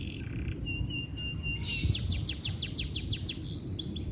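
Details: Domestic canary, recorded in Indonesia to stimulate silent canaries, gives steady whistles then a fast run of repeated short sliding notes, partly masked by broad background noise.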